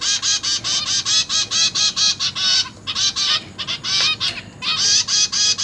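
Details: Captive zebra finch chicks fed by parents, several newly hatched and juvenile birds in one cage; steady rapid harsh buzzy begging notes, several per second, with a short lull midway.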